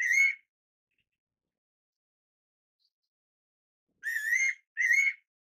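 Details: A Fairy pitta's paired whistle, two short, upslurred notes in quick succession, following a clipped earlier note and about three seconds of silence.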